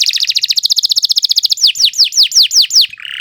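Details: Canary singing a long, continuous tutor song: a very fast rolling trill of high notes for about one and a half seconds, then five slower, ringing downward slurs ending in a buzzy note.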